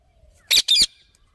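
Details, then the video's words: Parrot giving two loud, harsh squawks in quick succession, each short, raspy and broad-toned, separated by a brief gap, with near silence before and after. "Parrot Making Noises"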